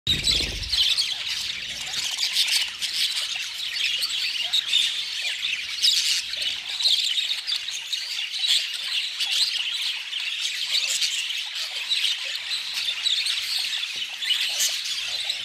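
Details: Budgerigar (Melopsittacus undulatus), flock chatter.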